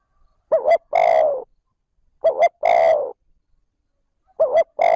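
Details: Spotted dove cooing 'trơn ròng' style to lure wild birds. Two complete phrases, each a pair of brief notes followed by a longer, raspy, falling coo, sound almost two seconds apart, and a third phrase starts at the end.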